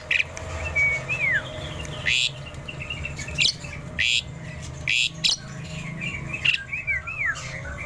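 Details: A tame Asian pied starling singing freely: rising and falling whistles mixed with loud harsh bursts and scratchy chirps, repeated irregularly throughout.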